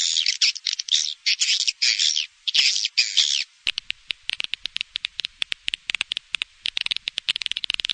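Swiftlets give dense, buzzy high chirps for about three seconds, then a rapid, uneven stream of dry clicks.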